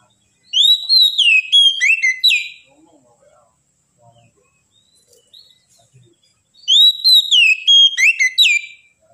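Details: Oriental magpie-robin delivering two bright, rich whistled phrases, each about two seconds long with swooping and falling notes, separated by several seconds of near silence with faint low sounds.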